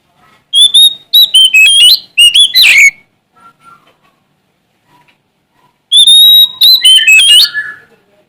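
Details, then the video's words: Oriental magpie-robin from Sumatra singing to find a rival, delivering two energetic phrases of ringing whistles, abrupt slurs and scratchy flourishes, with soft scattered notes in the long gap between. "Suara Asli Kacer Sumatra Gacor Cari Lawan"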